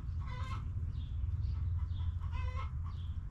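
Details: Backyard chickens in a coop, hens clucking: two short harmonic squawks with nasal bands, each about a quarter second, separated by soft chirps, over a steady low rumble.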